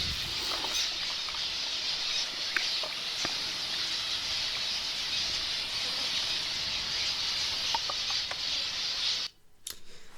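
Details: A flock of wild zebra finches in dry, desolate Australia, waiting in trees around a waterhole to come down and drink, fills the air with constant, dense chatter of short, high nasal calls.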